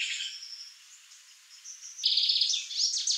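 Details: Young male Lined seedeater singing: soft high twittering gives way to a sudden loud buzzy trill followed by quick sweeping chirps.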